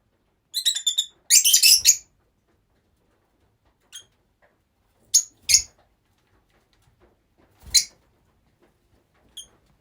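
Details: A group of rosy-faced lovebirds kept together: a rapid stuttering run of squeaky notes, then a dense harsh shrieking burst, followed by scattered sharp chirps and soft clicks.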